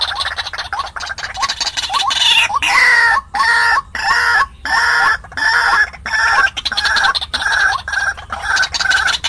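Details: White-breasted waterhen calling as a trapping lure for wild birds, with a steady series of coarse, croaking notes, about ninety a minute, some with a rising twang, kept up loudly with brief pauses.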